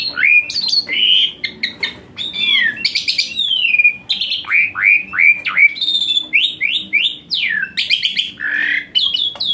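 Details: Asian pied starling delivering a full, varied song as therapy for a starling that rarely sings: continuous slurred whistles, downward swooping notes and harsh chattering bursts.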